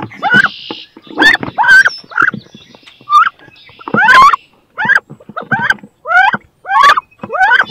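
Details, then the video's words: Two female wood ducks battle inside a nest box, each wanting to lay and incubate eggs there; a rapid series of loud, rising squealed notes, about a dozen in eight seconds, with scuffling and thumps between them. "CANARD BRANCHU (Carolin) 2 FEMELLES VEULENT PONDRE DANS CE NICHOIR / MOMENTS FORTS / CRIS"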